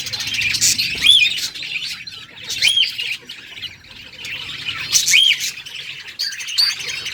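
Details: Parakeet chirping happily, clear rising-and-falling whistled chirps repeated about every one and a half to two and a half seconds among scratchy chatter.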